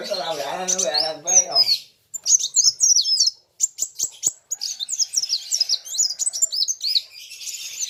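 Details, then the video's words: Sunbird (kolibri wulung) competing in song with a rival: a lower, rich harmonic sound opens, then comes a stream of high, clipped chirps and twisting whistles broken by short silences. "BURUNG KOLIBRI WULUNG NARUNG GACORR KETEMU LAWAN SAMA" GACORR"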